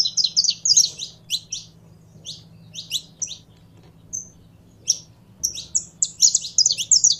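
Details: Captive saffron finch warming into song: irregular groups of high, sharp chips and short slurred notes, dense at start and end with quieter gaps between, over a low hum.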